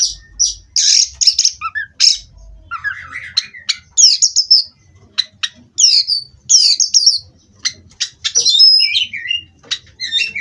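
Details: Oriental magpie-robin, a caged kacer, pouring out a rapid varied song of high whistles, sharp clicks and short chattering phrases with falling slurs, over a faint low rumble.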